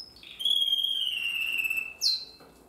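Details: Young Timbrado canary from 2020 rehearsing song, holding a long pure whistled tone that slowly falls in pitch, then a short bright upward-swept note.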